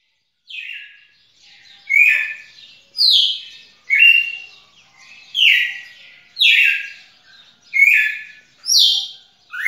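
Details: Red-cowled cardinal singing a string of short, loud whistled phrases, each a bright slurred note sliding down or up, delivered roughly once a second with brief pauses and soft twittering between phrases.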